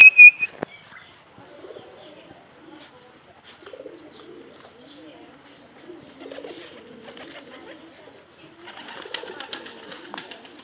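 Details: Local desi pigeons cooing softly: low, wavering, rolling coos recur through the recording after a sharp knock at the start, with faint higher rustles and clatter toward the end.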